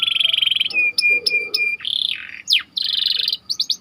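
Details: Canary song used as bait for training: a dense buzzy roll, choppy repeated notes, a sharp rising sweep, and a quick closing trill.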